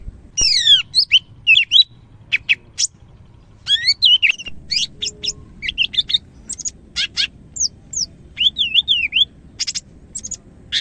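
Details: Greater green leafbird from Medan in vigorous song: a long, varied run of high sweeping whistles, sharp chips and wavering slurred phrases delivered in quick succession, with a low hum in the background.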